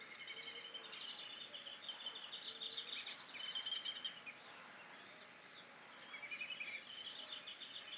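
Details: Young male Amazon kingfisher singing from vegetation beside a park lagoon in Campinas, São Paulo, Brazil: clusters of quick high chattering notes, with a flock of black-bellied whistling ducks faintly whistling lower in the background.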